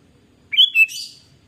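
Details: ['Sooty-headed bulbul (kutilang) in gacor lure song: a single short phrase of rising, then dipping, clear slurred whistles ending in a breathy fading flourish.']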